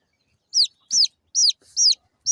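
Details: Small chicks chirping: five piercing, descending peeps spaced about every half second, clean and close, with near silence between them.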